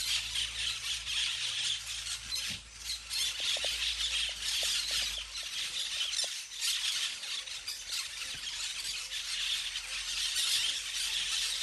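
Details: Flock of parakeets playing in the trees, a dense, unbroken wall of overlapping shrill squawks and chatter that swells and dips over about twelve seconds, with a few faint low knocks underneath.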